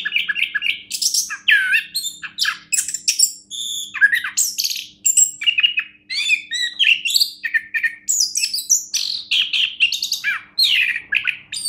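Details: Orange-headed thrush, a competition-grade songbird, delivering a fast, dense medley of sharp chips, whistled slurs and high squeaky notes in quick bursts throughout, with barely a pause.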